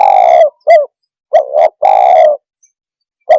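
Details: Spotted dove coo, used to provoke and excite other birds: low hoarse coos with faint harmonics, a long note, a short hooked note, a doubled note, then another long note and a brief final coo, separated by silences.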